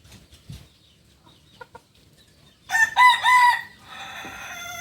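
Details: Crowing Kukuak Balenggek cockerel, native to Solok in West Sumatra. Quiet faint clicks come first, then a sudden loud, rich crow with a steady held opening and a long, lower, drawn-out tail lasting about two seconds.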